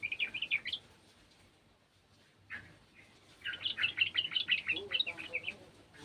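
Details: Garden sooty-headed bulbul singing along with another bulbul: a short burst of bubbly chirps, a pause, then a longer run of quick, bright, warbled notes; a voice is faintly heard.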